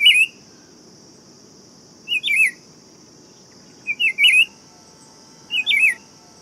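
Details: Four twisting, sweet whistled phrases from a Buff-throated Saltator, roughly one every one and a half to two seconds, set against a continuous shrill high hum and quiet low rumble.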